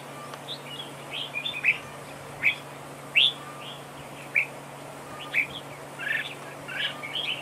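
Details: Decoy red-whiskered bulbul in a trap duel, duel singing: separate sharp chirps and short whistled notes spaced irregularly, roughly one to two per second, ending in a cluster of warbled notes; constant low hum beneath.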